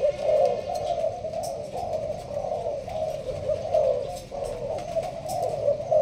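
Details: Spotted dove of Malaysian stock, caged for keepers, gives sparse-style urging coos. Deep rounded notes pulse steadily about every half second with brief breaks.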